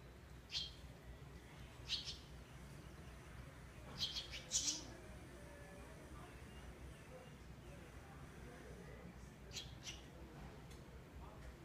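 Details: Barn swallow chicks giving short, high, sharp chirp bursts, single or paired, near 0.6, 2, 4 and 4.6 seconds, then fainter around 9.5 to 10 seconds, over a steady low rumble of background noise.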